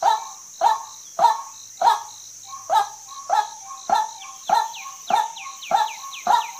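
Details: A female white-breasted waterhen utters a regular series of gruff, short notes, about eleven in six seconds. Quick downslurred high whistles join toward the end, over a steady high-pitched hiss.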